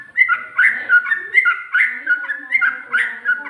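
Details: A sooty-headed bulbul, locally trucuk, sings a rolling chain of rich, gurgling whistled phrases, each dipping and rising, repeated about every half second without pause.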